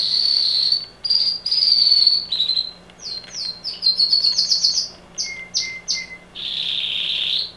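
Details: Loud canary song indoors, opening with long high rolling trills, followed by fast repeated chirped notes at about four per second, a few lower whistled phrases, and a closing sustained buzzy trill.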